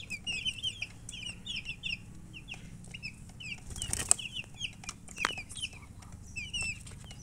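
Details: Just-hatched baby chickens chirping loudly, a flock of short, high downward-slurred peeps in quick irregular runs; a brief rustle or flutter midway and a low background hum.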